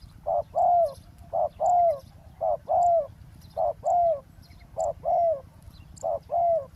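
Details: Coos of a spotted dove used as a decoy on the ground by a roadside to lure a wild dove: brief note then drawn-out trilled coo, pairs repeating steadily almost every second over low background hum.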